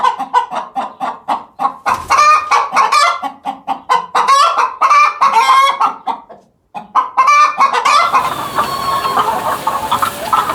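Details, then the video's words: Chickens making weird noises: a fast series of sharp, rhythmic clucks, breaking into loud excited cackling, a short silence, then renewed clucking and squawks over hiss. "Weird Chicken Noises"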